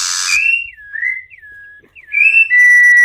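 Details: Singing campo troupial, used to warm up and teach young and adult birds: a burst of noise, then mellow whistled notes that rise and fall in slurred phrases, closing on a long steady tone.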